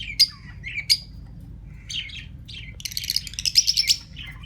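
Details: Two pairs of recently acquired pet lovebirds, brought out into the open, give sharp, high chirps, then a run of rapid, scratchy squeaks and twitters in a quick, busy burst; ring-necked parakeets are in the background.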